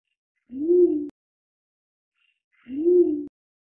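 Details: Pied imperial pigeon (Ducula bicolor) giving two deep, hollow coos, each slightly rising then falling, about two seconds apart, against a quiet background.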